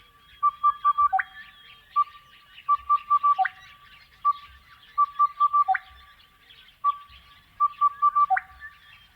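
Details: Song of a Crested bellbird, Australian outback: melodic runs of ringing notes, each finishing with one deeper cow-bell like note, four phrases about every two and a half seconds, with faint bird chatter and low thumps.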